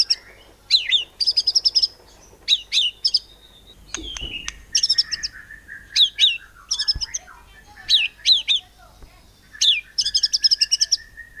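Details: White-rumped shama singing 'nembak cungkok cililin' to draw other birds into song: staccato high chattering bursts alternate with long level whistles and descending slurred notes, phrases repeating every one to two seconds.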